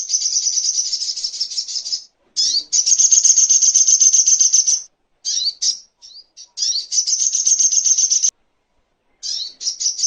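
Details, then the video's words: Long, rapid, buzzy chattering trills of the little spiderhunter are broken by short pauses and a few sharp slurred notes. The recording serves as tutoring material for songbirds and for bird therapy. "Masteran Songon(Burung Sogok Ontong)"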